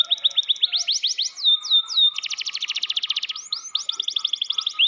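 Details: Canary in a cage singing varied phrases: rising whistled sweeps, drawn-out slurs, then a long rapid rattling trill and more quick rising notes.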